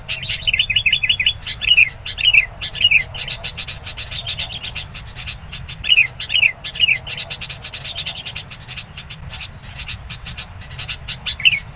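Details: Wild sooty-headed bulbul near midday during bird trapping with a decoy, fiercely agitated as a rival approaches: bursts of rapid, high chattering chirps, several quick series of sharp repeated notes separated by short pauses, with a steady low rumble beneath.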